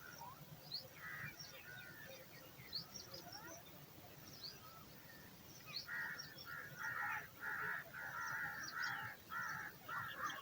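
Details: Hungry eagle chick in the nest calling for food: faint scattered notes at first, then from midway a steady series of loud, harsh, rasping calls about once a second.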